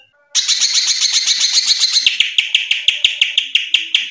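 A greater green leafbird pours out a dense, rapid run of high chattering notes, then settles into sharp, evenly spaced chips about five per second.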